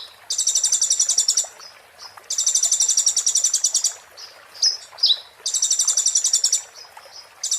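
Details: 'Muntah beling' style song of an Oriental white-eye, used to tutor magpie-robins: three dense, high, rapidly pulsed trills, each about a second long, with sharp upswept chips in the gaps between them.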